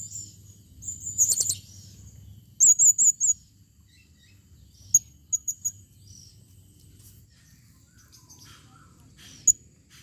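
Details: Female blue-crowned hanging parrot calling: very high, thin squeaky notes near the top of hearing, a twittering burst, then a quick run of four sharp chips and scattered triplets, over faint low hum.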